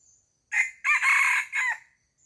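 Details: One full crow from a chicken on a farm: a sharp short note, a pause, a long raspy sustained phrase, then a short descending tail. Faint high chirps are heard at the edges.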